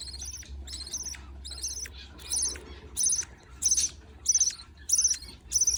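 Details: During feeding by a parent, baby budgerigars make hoarse, high rasping calls, repeated in regular pulses roughly every half second. The calls grow louder toward the end.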